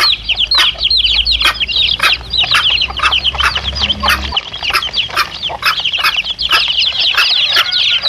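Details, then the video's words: Brood of chicks with their mother hen, a sound for luring wild male junglefowl: busy overlapping high cheeps with sharp clicks, a low hum for the first four seconds. "SUARA ANAK AYAM DAN INDUK NYA"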